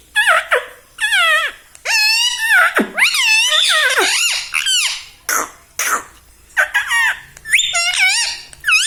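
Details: House parrot imitating human words such as 'mummy papa' voices a dense string of shrill, warbling, speech-like syllables, rising and dipping in pitch, in rapid phrases with short pauses.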